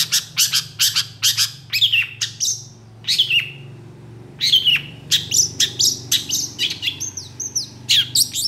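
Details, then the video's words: Agitated long-tailed shrike in full-repertoire song, reacting quickly to other shrikes. Rapid runs of harsh, scratchy chattering notes break into short drawn whistles, then resume in fast repeated bursts, with a steady low hum underneath. "PENTET GACOR EMOSI CEPAT DI RESPON CENDET LAIN, MASTERAN CENDET FULL ISIAN"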